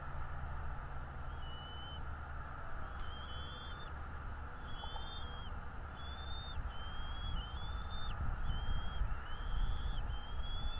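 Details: Bald eagle pair's nest in northeast Florida, picked up by a live nest camera mid-morning: thin, high whistled notes, some upslurred or briefly wavering, repeat irregularly every second or so over a constant low rumble of wind and distant traffic.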